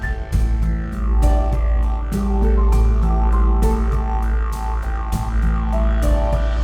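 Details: Didgeridoo music with a deep steady drone and regular percussive beats; no animal is heard.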